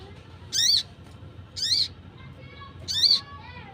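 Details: Wild ruby-cheeked sunbird calls used as a lure for trapping wild birds: three loud, squeaky, arched high-pitched notes, roughly one per second, over faint low background hum.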